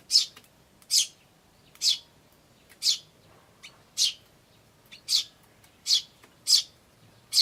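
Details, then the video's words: Begging tree sparrow chicks calling "chi, chi" with adults nearby, 10 May 2013: a regular run of about nine sharp high chirps, close to one per second. "スズメと雛の鳴き声(5) Sound of Tree Sparrows and chicks (5)"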